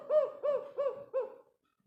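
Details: Spotted dove used as a lure for other doves, delivering four deep, evenly spaced coo notes, each a short rounded hoot, fading at the end of the phrase.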